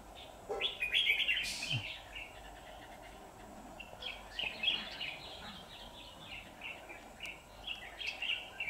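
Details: Red-whiskered bulbul used as a decoy during trapping of wild birds, singing to provoke wild rivals; a loud burst of warbling notes near the start, then a run of short chirpy phrases repeated rapidly, over steady background hum.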